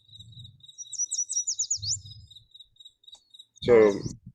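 A Yellow Warbler gives a quick, high run of about six sweet, slurred notes over a steady insect trill, and a voice begins at the end.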